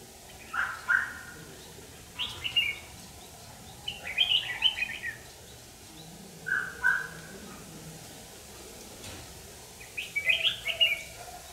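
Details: Red-whiskered bulbul used as a trapping decoy, singing to provoke fighting; short warbled phrases around mid-high pitch, delivered in bursts every two to three seconds, with steady low background hum.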